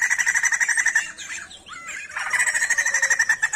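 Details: Sijambul songbird from Indonesia in lively song: a second-long trill of fast pulsed buzzy notes, a brief soft twisting phrase, then another rapid rattling trill.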